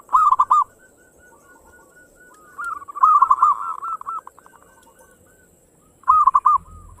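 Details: Local zebra dove in the quick 'ngayer engkel' song style, used to stimulate other birds to sing. Three loud bursts of arched rolling coos, each trailing into softer repeated notes, with quiet pauses between them.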